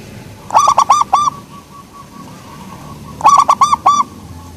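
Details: Local zebra dove, soft in tone, giving two evenly matched phrases of four fast, mellow coos, roughly two and a half seconds apart.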